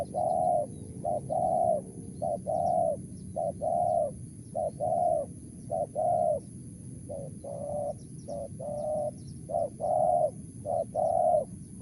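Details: Extended calling by a wild spotted dove in the Mersik style: around ten repeated phrases of a short coo then a longer soft coo, keeping an even tempo throughout, over a low rumbling background.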